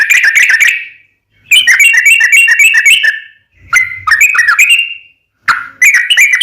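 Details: Fast, fighting-style chattering of a sooty-headed bulbul, used as a lure for other bulbuls: four bursts of rapid bubbly notes, each ending in a drawn-out whistle, with short pauses between.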